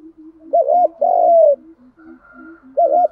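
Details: Spotted dove coo used to get male and female doves calling: a wavering double note and a drawn-out falling coo over a steady bed of quiet, deeper coos from other doves.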